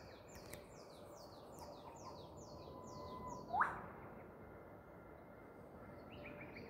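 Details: Eastern whipbird in Queensland, Australia: a faint level whistle, then a sharp rising whip-crack note near the middle. Another bird repeats short descending notes at the start over steady background hiss.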